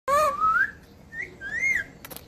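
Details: Parrot described as a talking parrot: a loud tonal whistle that starts with a short low note, then glides upward, pauses, and ends with a rising-falling whistle, followed by a brief click.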